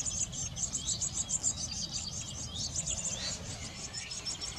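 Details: Eurasian blue tits at their garden nest box while caring for young; a continuous chorus of shrill, high, fast chirping pulses, several per second, above low background noise.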